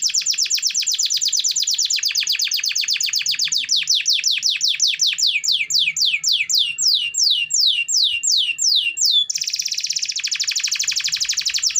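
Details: Domestic canary in full song, used as a lure to prompt lazy canaries to sing: rapid series of descending whistled sweeps repeated about three per second, shifting near the end into a dense buzzy trill.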